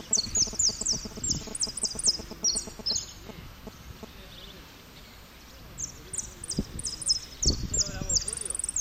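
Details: Saffron finch in a singing contest at Merlo, third place, 03/01/2016, performing repique song: rapid runs of high, sharp descending notes, pausing midway, then resuming, with people talking in the background.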